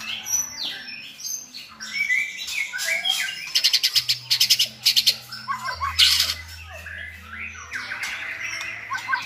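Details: White-rumped shamas, several good singers used to tutor a selected shama, give dense song: busy mixed whistles and chips, fast rattling bursts of clicking notes in the middle, then warbled phrases.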